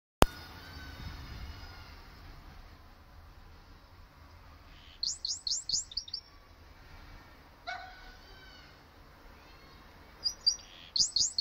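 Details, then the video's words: Canary and goldfinch hybrid practising its song: after a long quiet stretch, a quick burst of high, bright chattering notes, then a lower buzzy note and another short trill of clipped twitters near the end. "canario x jilguero"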